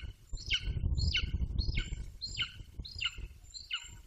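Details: Eighteen-week-old male Golden Eagle calling near its nest in Bucovina: six loud, ringing yelps, each sliding from high to lower pitch, about every 0.6 seconds over steady low wind rumble.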